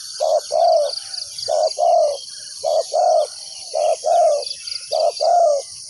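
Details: Decoy spotted dove on the ground calling to pull in wild doves for trapping. Four evenly spaced two-part phrases, a quick coo then a longer croo. Faint chirps and a high insect hum are in the background.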